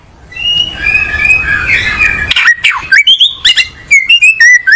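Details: Kacer, the oriental magpie-robin, starting with a drawn-out wavering whistle, then breaking into clear, ringing whistled notes that step up and down in quick succession.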